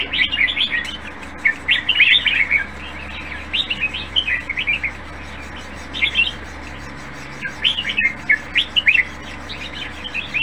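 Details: Red-whiskered bulbul in a cage, its song called faultless and nearly competition-ready, repeats short clusters of sweet, jerky warbled notes every second or two in several bouts, with a soft continuous hum behind.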